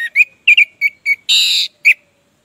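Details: Orange-headed thrush in full song, played as a lure to get silent birds singing: a row of short clear whistled notes, some paired, broken by a harsher broad buzzy burst, then one more whistle.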